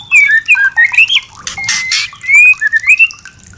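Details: White-rumped shama singing to prompt birds toward mating: clear rising and falling whistles separated by short gaps, broken midway by a harsh, rasping burst, then more sweet slurred whistles.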